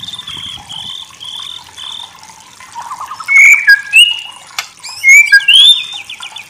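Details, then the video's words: Murai batu, the white-rumped shama, in masteran song: soft steady whistles and a faint trill at first, then loud clear rising and falling whistled phrases with sharp high notes over a gentle hiss. "Masteran murai batu terbaik"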